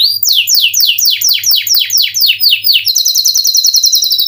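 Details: Canary song opening with a rhythmic run of loud downward-sweeping whistled notes about four per second, then switching to a fast, higher, tight trill.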